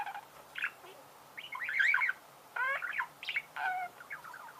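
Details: Budgerigars chattering with twisting warbled notes, harmonic chirps and short squeaks over a faint background hiss.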